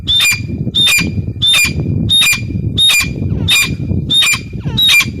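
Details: Eight loud, piercing notes from a female grey francolin, each a short whistle dropping to a lower tone, delivered about every two-thirds of a second over steady low background hum.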